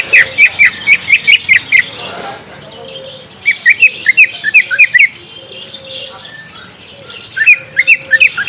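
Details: Lure song of a green leafbird meant to prompt a young bird to reply: fast series of bright, sharp chirping notes in three bursts, with softer twittering between them.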